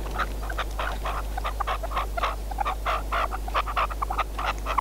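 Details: Decoy red-legged partridge used in hunting, giving repeated hoarse chuk notes about once a second within a busier chatter, some notes ringing clearer, over a low hum.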